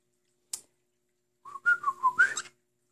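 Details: Indoor pet male cockatiel whistling: a sharp click, then a brief warbling phrase of wavering notes that dips and climbs, ending in a rising, higher chattered flourish.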